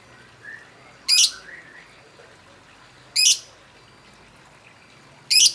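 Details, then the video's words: Lovebird lure call meant to make other birds join in, three loud rasping shrieks about two seconds apart, with faint softer chirps between them. "Kicau burung lovebird"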